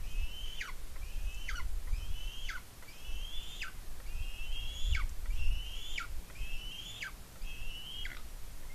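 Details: Eagle at a nest on Smola, Norway, squeeing with excitement while eating a fish its mother brought, an adult perched on a branch above; eight high, thin squeals, each a level whistle ending in a sharp downward slur, roughly once a second.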